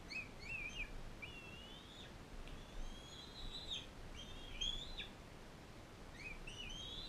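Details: Bald eagle in care, a non-releasable adult female fostering a young eaglet from Powell River; high, thin whistles that climb and hold, then break downward, repeated roughly every second with short gaps, against a soft, steady hiss.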